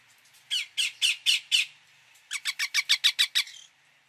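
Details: Indian ringneck parakeet giving loud, rhythmic squawks: a series of five evenly spaced harsh notes, a short break, then a faster run of about eight.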